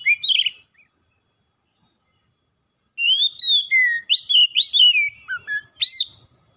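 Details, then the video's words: Singing oriental magpie-robin, said to be reluctant at first then singing continuously: varied whistled notes, upward slurs and quick downward sweeps, delivered in a rich run of about three seconds after a brief opening phrase and silence. "KACER MALAS BUNYI TERPANGGIL LANGSUNG TAK HENTI HENTI GACORNYA"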